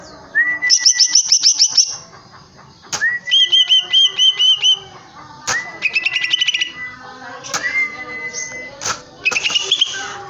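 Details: Caged greater green leafbird singing loudly in separate phrases: bright rapid trills of high notes, series of looped whistles repeated about six times, and sliding rising whistles, with short silent gaps between.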